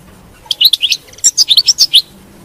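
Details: European goldfinch song used to encourage a captive goldfinch to sing: two short groups of sharp, bright chirps and twittered notes separated by a brief pause, over a quiet background.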